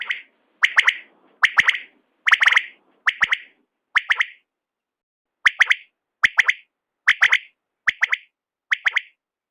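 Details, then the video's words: Quail (batair) calling in the morning in short, clipped bursts of two or three sharp notes, repeated about every second in an even, insistent rhythm against a quiet background. "duhre bataire ki awaz"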